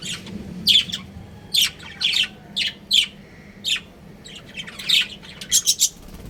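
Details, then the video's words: Breeding pair of budgerigars giving separate short, harsh chirps and squawks spaced about half a second apart, some in quick doubles and triples, over a quiet steady hum. "Adorable Budgies Chirping Sounds"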